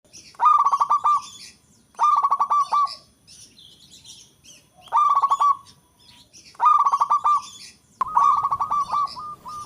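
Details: Local zebra dove with a melodious voice, calling in all directions: five bursts of rapid, stuttering, rolling coos about every two seconds, each opening with quick clicks and ending in a purring trill.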